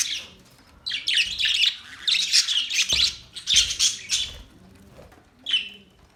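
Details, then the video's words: Harsh, squawky high chirps from budgies arrive in rough bursts, then fade, ending with one isolated short squeak after a pause. "Budgies bird chirping sound"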